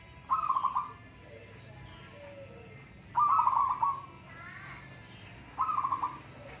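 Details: Local zebra doves in a singing contest: three rapid trilled coos around mid pitch, each a stuttering burst of soft notes about half a second long, spaced roughly every two and a half seconds, with faint other calls between.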